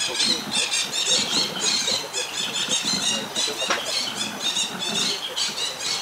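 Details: A juvenile Buffy fish owl from a family group, practising hunting, gives harsh, wheezy hissing screeches in quick rasping bursts, several per second, in a steady run over a faint low murmur.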